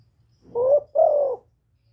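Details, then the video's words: A single spotted dove from Cà Mau, Vietnam, heard in a trapping lure recording. It gives one low, husky two-note coo, the second note longer and slightly falling, against a faint low hum. "TIẾNG CHIM KÍCH MỒI KÍCH BỔI CỰC HAY CỰC CHUẨN, CU GÁY CÀ MAU"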